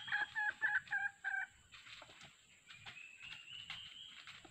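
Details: Wild red junglefowl, yellow-plumaged, approaching a trapper's decoy, a male accompanied by a hen. Five quick, loud, nasal clucks open, followed by softer rustling and a faint rising whistle.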